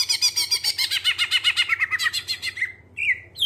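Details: Greater green leafbird (cucak ijo) song used as a lure to get other birds singing: a fast run of rhythmic chattering notes, about four per second, sliding down toward the end, then short whistled phrases; faint low hum beneath.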